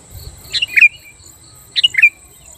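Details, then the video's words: Sooty-headed bulbul, a lively song used to provoke rival bulbuls into singing: two short bubbly phrases of quick, sliding whistled notes about a second apart, over a faint steady high hiss. "Suara burung kutilang gacor Ampuh Menekan Lawan Kutilang Lain Langsung Emosi dan Ikut Gacor"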